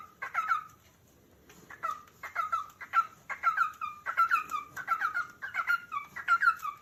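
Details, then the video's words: A cockatiel calls with a run of brisk, bright chirps after a short silent pause. The notes come in dense, irregular clusters of two or three. "calopsita cantos ✅som de calopsita chamando"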